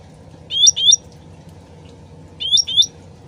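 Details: Sooty-headed bulbul in a lure recording with trickling water: two bursts, each a pair of quick, high whistled notes sliding upward, about two seconds apart, over a steady low watery murmur.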